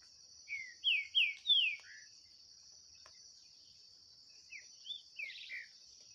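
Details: Green-winged saltator dueling with a wild bird in the bush during a 2023 contest. A rich phrase of four loud, downward-sliding whistles, then several quieter falling notes, all over a steady shrill insect drone.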